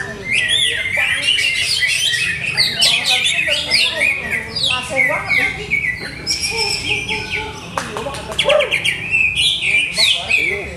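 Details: Caged contest Greater green leafbird pouring out a long, varied song of fast chirps, sweeping whistles and trilled notes, almost nonstop, with steady low background hum.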